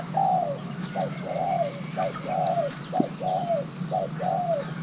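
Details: Young male Thai-hybrid spotted dove during pairing: rhythmic cooing with a short clipped note alternating with a longer arched, falling coo, about once per second, under a constant low background rumble.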